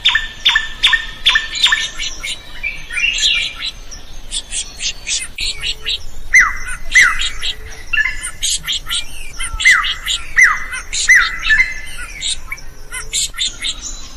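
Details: Drongo singing vigorously, used to train other birds: a long varied run of ringing notes, chattering bursts and repeated sharp downward-sliding whistles, with a busy, changing rhythm throughout.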